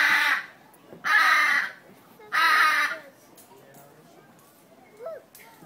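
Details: At Brevard Zoo, Melbourne, Florida, a blue macaw gives three loud, harsh, raspy squawks about a second apart. Quieter background chatter and a brief softer squawk follow.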